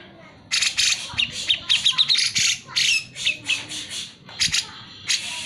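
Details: Grey-cheeked Bulbul chattering steadily to prompt lazy birds of its kind to sing: dense, rasping bursts mixed with quick repeated sharp notes, running almost without pause.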